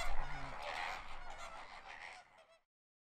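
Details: Greater flamingos, among hundreds at Parc Ornithologique de Pont-de-Gau in southern France, give a burst of harsh, goose-like honks that overlap for about two seconds before fading, over a low background rumble.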